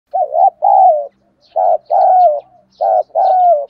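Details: Caged decoy spotted dove with a full, loud, clear cooing song used to lure wild doves. Three paired coos, each a short wavering note followed by a longer, falling, slurred note, spaced about a second apart.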